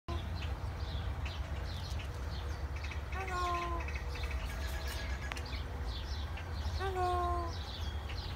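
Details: A captive African pied crow at a zoo in Glendale, Arizona, says a voice-like "hello" twice, each a short falling, harmonic utterance a few seconds apart, over a steady low hum and background chatter.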